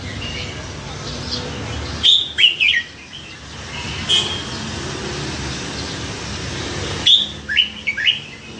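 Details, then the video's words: Pet red-whiskered bulbul, hand-caught as a fledgling at a canal-side tree, noted for a wide repertoire; clear chirpy whistled phrases of several notes at two, four and seven seconds, with faint traffic-like rumble behind. "นกกรงหัวจุก เจ้าออสการ์ ร้อยเสียง"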